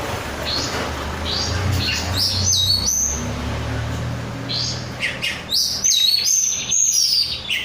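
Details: Untrained captive oriental magpie-robin in energetic song: after a quieter opening, quick high whistled notes come in bursts, with sharp upsweeps and short trills, above a low rumble.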